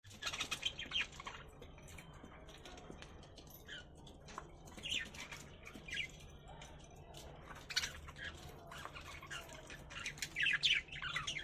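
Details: Budgerigars in a breeding setup in December 2023 chatter with rapid, scratchy chirps and squawks, several birds calling over one another.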